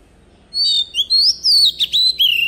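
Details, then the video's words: Decoy Oriental magpie-robin singing its wild forest song to coach young birds: a lively chain of loud whistles, upward slurs, a quick descending trill and a final falling note, phrases separated by tiny pauses. "tiếng chòe rừng ép giọng chim non cực hay | Chòe than mồi hót giọng rừng cực hay"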